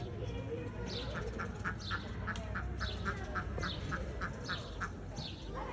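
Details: Peafowl giving a series of short, nasal, honking notes repeated roughly every third of a second, each starting with a falling upper tone; steady background noise and faint voices throughout.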